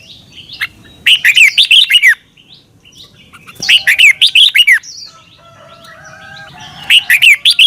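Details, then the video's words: Red-whiskered bulbul from Thailand, recorded to help caged birds learn: three evenly spaced phrases of five or six fast, looping whistled notes, with a thin sustained tone between the second and third. "นกกรงหัวจุก. นก - 30 นาทีทุกเช้า เพื่อให้นกเรียนรู้ที่จะพูดได้อย่างรวดเร็วและหนักแน่น"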